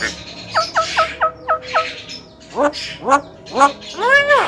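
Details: Male Javan myna, claimed to imitate human speech: a quick row of short clipped notes, then louder arched, rising and falling harmonic calls, spaced about half a second apart.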